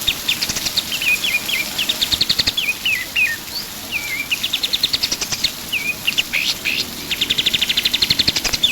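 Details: Pied triller singing actively, meant for training other songbirds: alternating bursts of rapid rising trills and single drooping whistled notes, ending in a loud fast rattle of repeated notes.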